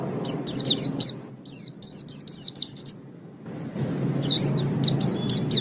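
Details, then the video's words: White-eye song used as a master recording for training songbirds: rapid high chirping phrases, thin twittering notes in quick bursts with a pause of near silence midway, over a low background hum. "Ocehan Suara Burung Pleci"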